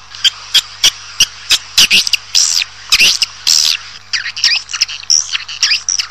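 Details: Swiftlet calls played to attract a colony into a building: sharp clicks and bursts of high, buzzy twittering chirps, irregular, sometimes several per second, separated by short gaps.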